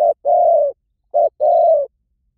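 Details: Spotted dove calls in quick succession: a clipped short note followed by a longer steady coo, given twice within two seconds, with a faint high chirp in the background.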